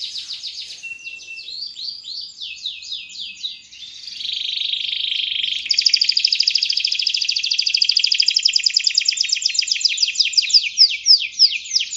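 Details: Canary singing to encourage other birds: opening with swept whistles and a short steady tone, a warbling passage, then a loud, fast, evenly pulsed high trill running several seconds.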